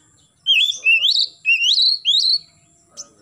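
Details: Morning song of an Oriental magpie-robin, known locally as kacer, used to encourage juvenile birds to sing readily: four loud sweet whistled phrases, each sliding upward and warbling, followed by one soft high note.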